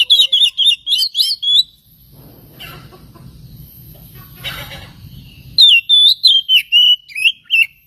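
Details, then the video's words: Lure song of an oriental magpie-robin, meant to stir other magpie-robins to sing: rapid bursts of varied whistled and chirped notes, a break of low murmuring noise, then another fast, tumbling run of bright notes. "SUARA BURUNG KACER INI AMPUH UNTUK PANCINGAN KACER AGAR CEPAT KONSLET DAN NGEPLONG"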